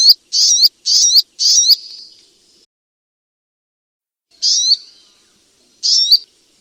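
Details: Striated grassbird singing four quick high whistled bursts, each ending in a rising hooked note, the last trailing off. After a long silence come two more isolated slurred whistled phrases; quiet background.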